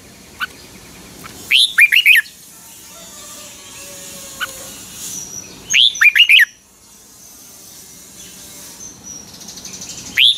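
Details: Red-whiskered bulbul, Pa La-u type from Thailand, singing the 'double' song style. Three spaced phrases of a sharp rising whistle and three quick notes, about four seconds apart, over a hissy background with faint other chirps.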